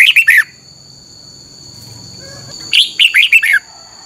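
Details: Caged red-whiskered bulbul singing a training song for other birds: two phrases of quick, liquid whistled notes dipping and rising, separated by over two seconds of quiet with low background hum and a constant high tone.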